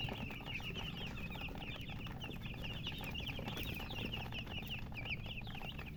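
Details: Baby chickens (murgi chicks) thirsting for water keep up a busy chorus of high, wavering peeps, many birds calling at once in quick succession, with low-pitched background hum throughout.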